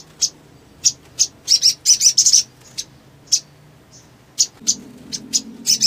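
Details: Crested jay giving sharp, very high chirps and short buzzy bursts in uneven clusters, some rapid runs and some single notes about half a second apart.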